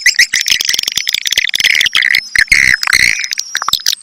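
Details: Swiftlet calls: bursts of shrill, rasping twitters and squeaky chirps packed closely together, with brief dips between flurries and a couple of harsher, grating notes midway.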